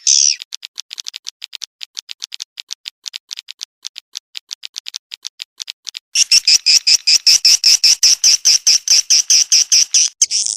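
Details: Swiftlet, dated 18 August 2021: after an opening screech, faint thin ticking clicks repeat for about six seconds. Then a loud, even series of ringing double-toned chirps follows, closing with another screech.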